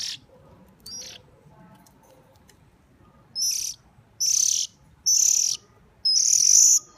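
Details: Hungry bird during hand-feeding, mostly quiet at first with a faint call, then five loud harsh high begging bursts in quick succession, the last ones longer.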